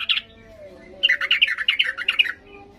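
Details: Worked-up yellow-vented bulbul in loud song meant to goad quiet birds into replying: one short sharp note, a pause, then a quick run of bubbly, jerky chirps lasting over a second.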